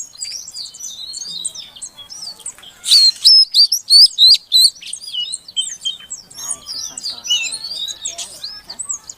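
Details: A female Oriental magpie-robin calls to coax a silent male into singing: high busy twittering, then about six loud rapid rising whistles, then continued varied chirps and slurred notes.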